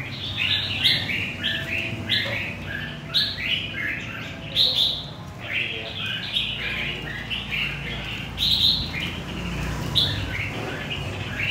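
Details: Central Vietnamese red-whiskered bulbul, caught from the wild, delivering rapid, overlapping chirpy whistles in near-continuous bursts, with sharp higher notes scattered among them and faint low rumble underneath.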